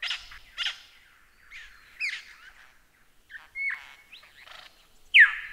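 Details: Lyrebird song used as masteran tutor material: scattered rough chirps and sweeping notes, a level whistled tone midway, and one loud descending whistle at the end.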